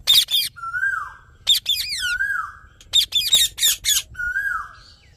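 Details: Rose-ringed parakeet alternating sharp, strident squawks with drawn-out, softly falling whistles, repeated several times over five seconds.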